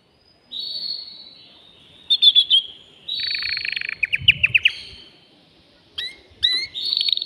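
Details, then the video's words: A caged male canary sings to stimulate a female for mating, mixing long whistled notes, short bursts of sharp clicks, buzzy rolling trills and rising chirps, separated by short pauses. "تغريد ذكر كناري هائج يريد تكسير القفص يحفز الأنثي لتزاوج"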